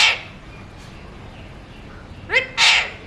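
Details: A pet talking Alexandrine parakeet, a mutation, gives three harsh, raspy squawks: one at the start, then a rising burst and a longer screech near the end, over quiet background hiss.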